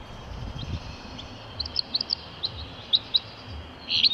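Common Chaffinch giving short, high, sharp chips at an uneven pace, ending in a brief louder burst, over a soft low rumble.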